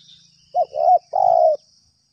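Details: Spotted dove answering a trapper's lure, calling steadily: a three-part coo with a brief clipped first note, a wavering second note and a drawn-out third note that tails off slightly, with a quiet high hiss behind.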